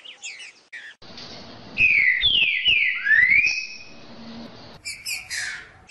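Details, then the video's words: Green-winged saltator song used to warm up a captive bird: a few sharp high chirps, then a rich whistled phrase of falling slurs and one long upward-sliding note, followed by more brisk chirping. "video para esquentar seu trinca ferro"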